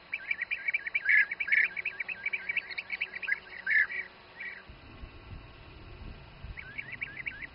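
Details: Bee-eaters feeding youngsters in the Přerov region of the Czech Republic give liquid, rolling trilled calls in quick succession, the loudest near the first and fourth seconds, fading into background rumble before a short final burst.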